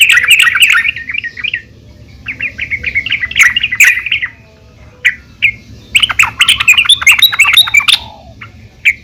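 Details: Female yellow-vented bulbul calling to the male, a lure to get bulbuls singing: bursts of quick, bubbling chatter broken by short pauses, with a few isolated sharp notes between them.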